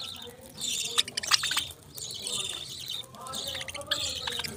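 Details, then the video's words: Budgerigars chirping in a dense, busy chorus of high scratchy warbles and short squeaky notes, with some clicks and sharp chips overlapping throughout and a low background rumble. "Beautiful Chirping Sounds relaxing Voice"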